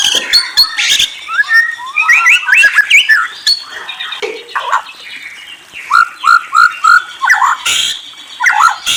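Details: Loud varied song of a white-rumped shama, whistled and trilled phrases followed by a repeated series of four downslurred whistles.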